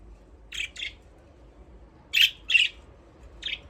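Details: Aviary budgies at play, giving brisk, harsh chirps in loose pairs, about two dozen per minute-equivalent bursts, with a quiet pause between groups.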